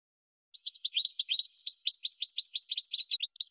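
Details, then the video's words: Goldfinch tutor song used as a training recording: after half a second of silence comes a fast stream of tinkling, chirpy notes, each one sweeping up and down, with a steady twittering rhythm and no other sounds. "GOLDFINCH 12h MAESTRO"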